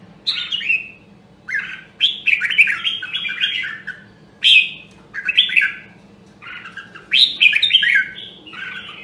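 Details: Nam Đông, Huế red-whiskered bulbul, a rare voice line, in song training: loud clear whistled phrases with warbling rises and falls, delivered in bursts roughly every second, separated by brief silences.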